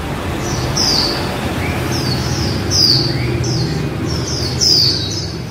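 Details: Female white-eye singing líu: clear high whistles falling in pitch, repeated about every two seconds, with occasional soft lower rising notes and a low background rumble.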